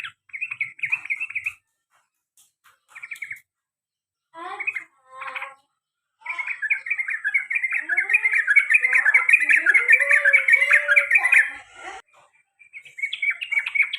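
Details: Sooty-headed bulbul repeating the long ropel panjang trill and garuda calls. Short chattering bursts separated by gaps build into a long continuous rattling trill with descending slurred notes beneath it, then a final burst.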